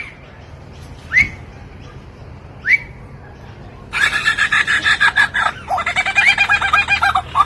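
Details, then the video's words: Lyrebird, an Australian ground-dwelling bird known to mimic human and mechanical sounds, gives two rising whistled sweeps, then a loud, rapid run of harsh, electronic-sounding pulses like a car alarm. "lyrebirds have been recorded mimicking human sounds such as a mill whistle a crosscut saw chainsaws car engines and car alarms fire alarms"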